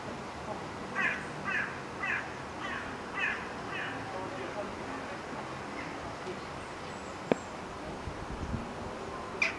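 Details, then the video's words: Crows gathering in September: five harsh caws in quick succession early on, then quieter background with a sharp click and faint distant sounds. "Crows meeting"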